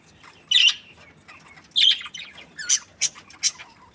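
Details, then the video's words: Budgerigar giving separate sharp squawky chirps, two longer ones about a second apart, then three quick short chirps close together, with quiet pauses between. "Budgies parrot chirping sounds"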